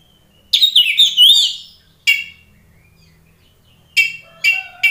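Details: Oriental magpie-robin singing to trigger a fighting response: a rich, twisting warbled phrase, then a lone sharp note and a few separate harsh chip notes spread across the rest.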